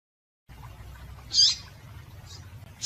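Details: Single sharp, high chip from a female double-collared seedeater, a call meant to excite males, followed by two fainter chips against a quiet low hum.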